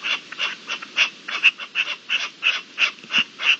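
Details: Partridge calling during the mating season, 27 April 2021; rough, grating chuck notes repeated roughly three times a second, each note short and harsh, forming an uneven chattering series.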